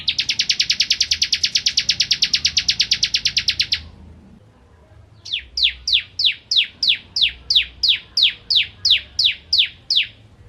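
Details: Vigorous bar-winged prinia song, a tutor for white-rumped shamas: a very rapid buzzy trill held for about four seconds, then after a pause a slower series of around fifteen high downslurred notes.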